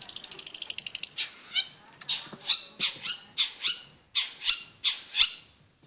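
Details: Long-tailed shrike opening with a fast even rattle of sharp ticking notes, followed by harsh, buzzy paired squawks repeated at short intervals, with a quiet background.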